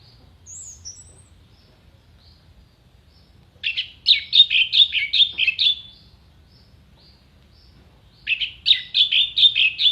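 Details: Orange-headed thrush in contest-style song, pouring out rapid strings of chattering, buzzy whistled notes in two long bursts, after a few faint high notes at the start, over a quiet low hum.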